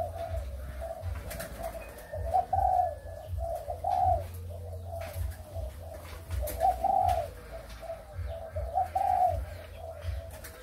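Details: Malaysian and Thai breeding spotted doves, 23 August 2021: a steady run of quiet coos, with stronger accented notes at intervals of a few seconds, scattered clicks and a continuous deep hum.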